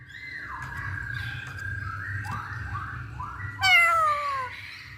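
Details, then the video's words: Song of the masked laughingthrush used to provoke other birds: a stream of soft overlapping whistles, then one loud, harmonic note sliding downward near the end. "Pancingan Poksay Hongkong"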